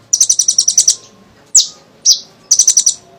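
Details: Sunbird, locally kolibri ninja, singing briskly to entice other birds to sing: a fast high trill of about ten notes, two sharp sliding chips, then another quick rattling burst.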